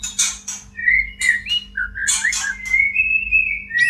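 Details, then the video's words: Breeding-condition white-rumped shama in a cage: sharp high bursts followed by mellow short whistles and a long, nearly level whistle lasting over a second, with a constant low hum behind. "JEBOL BIRAHI BURUNG MURAI BATU TERBAIK !! murai kawin"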